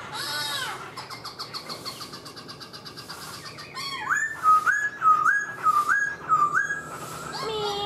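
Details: Black-throated laughingthrush performing its song and dance with a fanned tail. Noisy, chattering sounds open the phrase, then a string of clear, rising-and-falling whistles repeats about twice a second.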